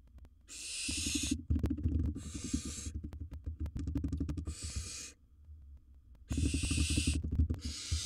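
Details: Five rough, airy hisses from a wild barn owl in its nest box during the swallowing of a large prey item, spaced irregularly over a bed of fast low tapping and shuffling sounds.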